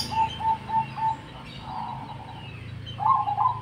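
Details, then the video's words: Cemani zebra dove in full song, giving a string of short, soft, low coo notes about three per second, a pause, then a rolling trilled coo burst, with a steady low hum underneath. "Perkutut Cemani Gacor Nada Unik Istimewa"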